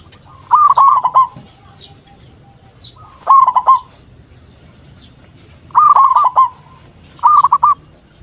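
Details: Zebra dove of a local strain cooing energetically as a lure call meant to make other doves answer: four short bubbling phrases of rapid, slightly falling coo notes, spaced about two seconds apart, with faint low hum behind.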